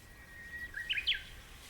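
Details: Wild Japanese bush warbler on an early-morning mountainside where bracken is being picked, giving a drawn-out pure whistle followed by a brisk, jerky burst of higher, clipped notes that ends the phrase, with faint ambient hiss.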